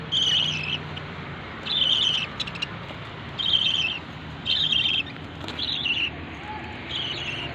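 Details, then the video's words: Lovebird giving shrill, high chirping calls in short bursts of about half a second, repeated roughly every second and a quarter, over a steady low background hum. "love bird sound"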